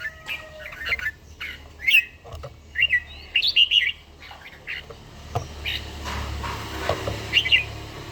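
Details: A mature red-whiskered bulbul in morning song during daily training, Gia Lai. It gives bright, clipped whistled notes in quick bursts separated by short pauses, over a soft low background hum.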